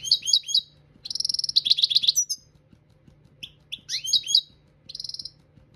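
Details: Song-training recording of a European goldfinch: fast runs of repeated tinkling notes, a rattling buzzy trill and bright upward-swept chirps, with a faint constant low hum beneath.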